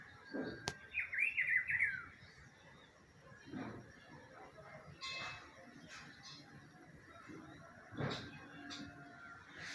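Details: Rufous-browed peppershrike heard in spring giving a bright warbled whistled phrase at the start, followed by quiet background with occasional knocks and thumps.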